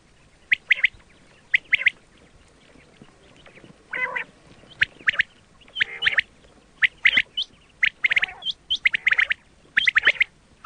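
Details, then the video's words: Quail calling, recorded for use in hunting; scattered bursts of sharp chirps and short chatters spaced about a second apart, with a few lower nasal notes between them. "quail 2024 Fresh sound Batair Ki awaz"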